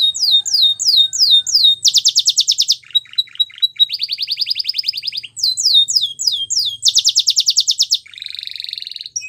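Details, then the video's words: Belgian canary singing a varied song: rapid series of downslurred whistled notes, then dense buzzy trills, a clipped lower stutter, a rolling steady trill, more downslurred notes, and a final fast chattering trill, all high-pitched and loud. "The Most Beautiful Canary Singing | Belgian Canary Song"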